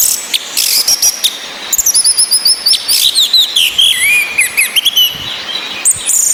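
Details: Female orange-headed thrush whistling, used to stir caged males into breeding mood and full song. Bright high whistles slide down and rise in quick phrases, broken by sharp chirps, over a steady hiss of rain.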